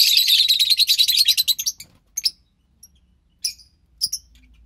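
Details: Two lovebird chicks of pastel mauve and white pastel violet parentage, dated March 3rd, 2021, produce a fast pulsing raspy churr for nearly two seconds, followed by a few isolated sharp chirps.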